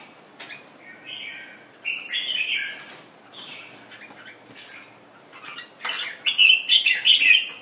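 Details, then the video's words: Caged Thailand red-whiskered bulbul, just finished moulting, displaying: scattered warbled phrases and slurred notes with wing flutters and clicks between, ending in a louder run of bright, bubbling whistles. "Nice Thailand jambul display"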